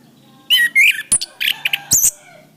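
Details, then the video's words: Song of an orange-headed thrush for training cage birds: warbled whistles followed by sharp, very high clicking notes and short squeaky bursts in a fast, broken sequence. "Suara Bunyi Masteran Anis Kembang"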